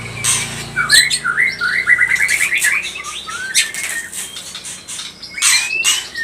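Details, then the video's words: ['White-rumped shama (murai batu pastol) singing a provoking song meant to stir other birds to sing: a rapid run of repeated upslurred whistled notes, then harsh broadband bursts and a final rising whistle.'] "Murai batu pastol cepat bunyi gacor emosi"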